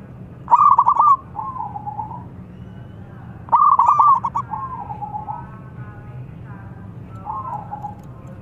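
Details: Local zebra dove singing vigorously to provoke rival birds into answering, with two repeated phrases of rapid stuttering notes followed by a softer trilled coo, each about three seconds apart, over a steady low hum.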